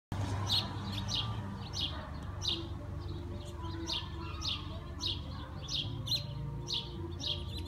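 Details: Sparrows perched in a persimmon tree after hours of heavy rain, once the storm cleared. Short, bright chirps come in irregular bursts, roughly one or two per second, over a steady low rumble.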